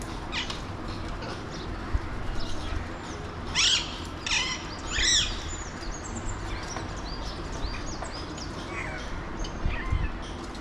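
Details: Alexandrine parakeets, or pahadi parrots, calling near a window in Mumbai, India: two loud, shrill, rasping screech bursts in quick succession, surrounded by scattered thin chirps and upswept whistles from other small birds over steady low city background noise.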